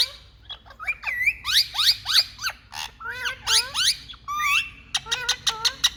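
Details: Loud chatter of Indian talking rose-ringed parakeets: rapid, irregular harsh screeches and upward-curving whistled notes, many calls tumbling over one another, about three per second, with a steady low hum underneath.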